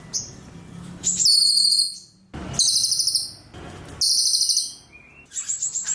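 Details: Cililin song: high, thin whistled phrases with a fine buzzy trill, each burst lasting about a second, separated by short pauses and ending in a brief higher squeak.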